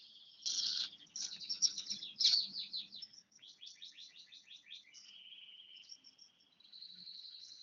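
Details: Bar-winged prinia, aged one year, opens with loud buzzy bursts, then a fast run of sharp repeated high notes that slows, followed by thin, level, high whistled trills.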